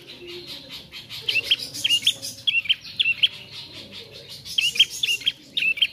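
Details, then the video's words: Fledgling bar-winged prinia practising its song: paired high chirps, a quick upslur then a flat note, repeated roughly every half second in two runs with a short gap between. "Prenjak Anakan/Trotol Belajar Bunyi"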